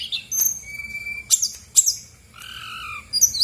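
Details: Female brown-chested jungle flycatcher song for coaxing silent birds: short high whistles, a steady mid-pitched tone, sharp explosive chips and a pair of downward-sliding whistles near the end.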